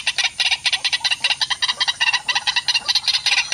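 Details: Wild white-breasted waterhens at a mirror trap set to lure them, with an intruding bird coming to chase the one facing the mirror. Rapid rough, scratchy notes run together in an uneven stream.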